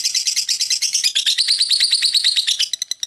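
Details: Continuous ngekek from a lovebird. A rapid, harsh, buzzy chatter holds for several seconds, then thins into a few spaced sharp chips.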